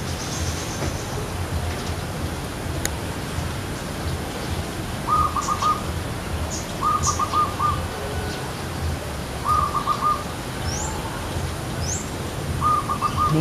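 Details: A zebra dove (Geopelia striata) on a tree, a male calling to lure a female, gives short bursts of rapid staccato cooing every two to three seconds, over a low rumble and high thin chirps from other birds.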